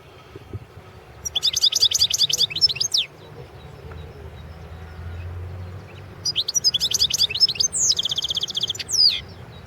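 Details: A goldfinch entered in the 2016 world goldfinch song championship sings two phrases of fast, bright twittering, the second closing with a steady high trill and a slurred whistle.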